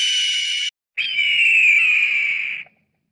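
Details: Northern goshawk giving a short harsh buzzy burst, then after a brief pause a drawn-out, slightly falling wailing cry lasting nearly two seconds before fading into quiet.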